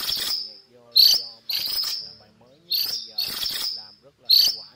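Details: Cuckooshrike calling its flock: about six loud, raspy screeches within five seconds, some paired closely. Soft, buzzy, wavering notes from other birds are audible between them.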